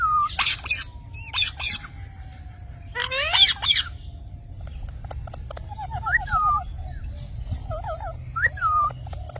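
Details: Green parrot uttering a few harsh squawks, then softer whistled notes that rise and fall, including a wavering trill-like series, over steady low background noise.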